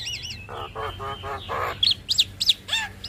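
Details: Master recording of Javan myna song for training caged birds: a wavering whistle, a series of rough grating notes, then quick sharp high squeaky chirps in rapid succession.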